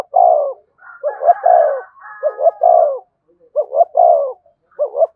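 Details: Spotted dove used as a decoy to rouse a caged newly caught male: low, mellow cooing phrases of two or three notes, repeated almost without pause, each ending in a drawn-out falling coo, in a quiet setting.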